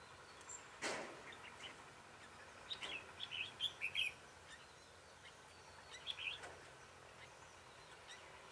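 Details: Red-whiskered bulbul during decoy trapping on 21 March 2018; a sharp knock, then a run of quick, bright chirping notes, a pause, and another short whistled phrase amid low background hiss.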